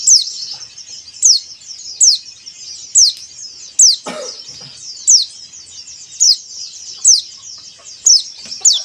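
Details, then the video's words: Recording of a white-eye meant to coax caged birds into singing. A steady, high, squeaky twitter carries sharp downslurred notes repeated about every 0.8 seconds. A brief low cough-like thud comes midway. "PANCINGAN PLECI AGAR RAJIN BUKA PARUH"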